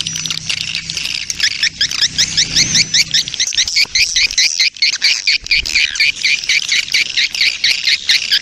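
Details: Swiftlet lure sound of a breeding colony ('koloni birahi'), played to attract birds; rapid, rhythmic high chirps in quick succession, growing denser toward the end, with a low hum in the first seconds.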